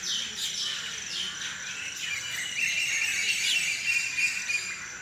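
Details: Early-morning bird chorus recorded around 5 AM, many high chirps and twittering notes from several birds woven together, with short sliding whistles and rapid repeated tweets over a steady background hiss.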